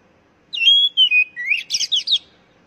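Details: Oriental magpie-robin song, used as a lure so that caged birds sing readily. It is one short burst of clear whistled notes, some sliding downward, followed by a quick run of rising and falling sweeps.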